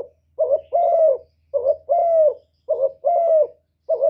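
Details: Spotted dove cooing steadily: four two-part phrases about every 1.2 seconds, a short throaty note then a longer even coo, with a low humming drone underneath.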